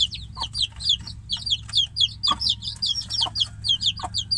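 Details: Caged chick separated from the hen outside peeps loudly for its mother, each call a high note sweeping downward, several per second without pause.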